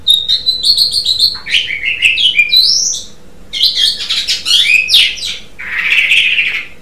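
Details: Asian pied starling in full gacor song, a nearly continuous run of bright whistles, rising slurs and grating chatter that ends in a rough, hissing note.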